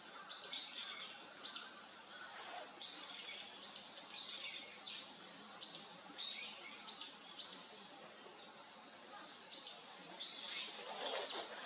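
A female Daurian redstart gives short, high chirps at an irregular pace, over a steady high-pitched insect-like hiss and faint background noise.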